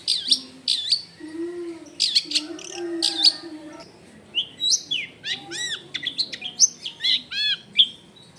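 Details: Long-tailed shrike in full, varied song, recorded at home in a crowded residential area. Looping whistled slurs alternate with harsh, buzzy strokes and quick rising notes, mostly in short bursts. Soft background rumble.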